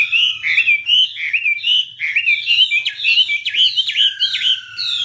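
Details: Chinese hwamei singing and waving its wings, recorded 2017; a rich, continuous run of loud, melodious whistled phrases, each note sliding up and down, mixed with quick warbled flourishes and little pause, faint hum beneath.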